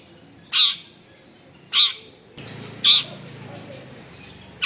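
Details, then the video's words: Long-tailed shrike singing vigorously, recorded at home in a densely populated neighbourhood: three loud, harsh, rasping bursts about a second apart over a steady murmur of background noise. "CENDET GACOR FULL ISIAN MEWAH"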